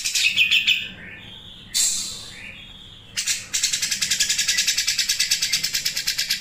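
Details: Cucak jenggot in full voice, sharp 'mesin jahit' sewing-machine phrasing. Loud rasping bursts and brief upslurred notes give way to a long, fast, even series of high chips, about three per second.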